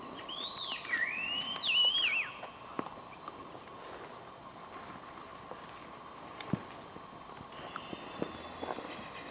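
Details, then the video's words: Scaly laughingthrush calling at Eaglenest, Arunachal Pradesh, India: a few clear whistled notes, wavering and slurred downward, in the first two seconds, then quiet forest background with faint clicks. "Laughingthrush Scaly"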